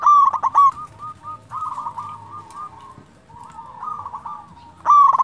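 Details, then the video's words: Local zebra dove in full cooing song, used to lure other zebra doves and provoke them to answer: a sharp burst of notes, then soft rolling, stuttered coos that rise and fall, ending with another loud burst, over low background rumble. "Perkutut lokal gacor suara merdu"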